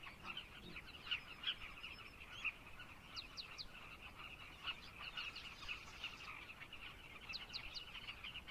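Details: A long stretch of carmine bee-eaters in Zambia chattering as a colony: overlapping burry notes, with loud individual calls at intervals and brief rising chirps.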